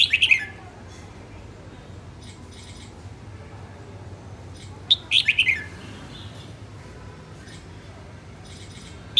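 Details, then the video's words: Female red-whiskered bulbul of the northern type, recorded during voice training, giving brief bright chirping phrases near the start, around five seconds and at the end, separated by long quiet gaps over a low steady hum. "Chào mào hót | luyen giọng chao mào | Chào mào mái"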